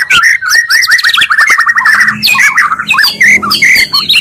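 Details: Two Oriental magpie-robins' songs joined as a provoking lure: a rapid run of repeated downward-slurred whistles, then a jumble of harsh squawky notes and high sweeping whistles.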